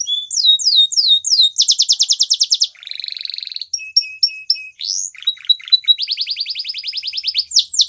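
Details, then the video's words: Varied song of a Spanish Timbrado canary: rising whistles, a loud fast trill, a lower buzzy roll, short metallic notes, a steep upslur, chattering, then another rapid high trill. "Spanish Timbrado Canary Singing"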